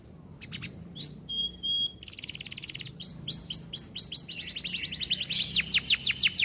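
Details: Canary in rich-phrased masteran song, long continuous singing: short chirps, a pure sustained whistle, then fast rolling trills of rising upswept notes repeated rapidly, some slurred downward sweeps.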